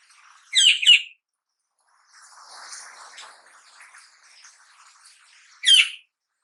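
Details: Black-naped oriole fledgling of the Javanese kepodang, past the spotted stage and practising song, utters two rasping bursts separated by several seconds of soft, muffled chattering.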